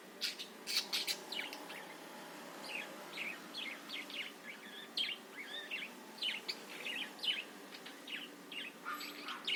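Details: Budgerigar warbling, played to get other birds excited and singing: clear, quick chirps with sharp up-and-down sweeps, bunched in lively bursts, fairly clean background.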